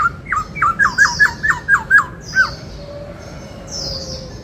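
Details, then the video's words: Kept white-cheeked laughingthrush singing 'bắt cô trói cột' style, a fast string of about nine short up-slurred whistled notes, roughly two per second, followed by quiet; high twittering from other birds continues behind. "Chim Khướu bạc má hót giọng bắt cô trói cột nghe là mê - Tiếng Chim Khướu"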